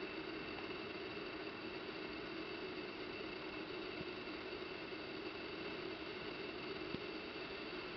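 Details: Continuous mechanical hum with steady tonal bands and one brief click, no animal voice heard.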